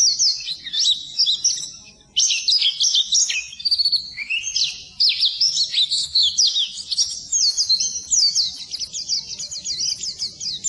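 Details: Training song of the Oriental white-eye for birds that will not sing: long, dense, high twittering warble of quick whistles and chirps, pausing briefly near two and five seconds before resuming.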